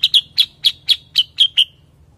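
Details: Bulbul known as cucak kurincang, kutilingang sutra or kuniran, uttering eight clear, sharp high chips in quick even succession, each with a short downward tail, over a quiet low rumble.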